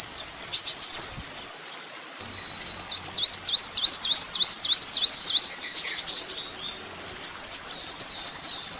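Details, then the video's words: Ninja sunbird on a master recording for training songbirds: varied high, thin chirps and upslurred whistles, then a run of short buzzy notes and a fast high trill, over faint background hiss. "masteran mewah full isian kolibri ninja"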